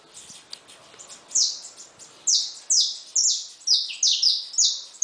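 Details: Caged saffron finch song near newly hatched chicks. After a quiet start with faint notes, seven piercing chirps that slide downward follow at irregular intervals of roughly half a second.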